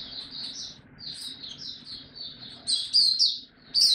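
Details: Singapore hobby white-eye, locally mata puteh, caged and singing again on 31 July 2023; soft, sibilant high twitters build into louder, sharper chirping phrases near the end.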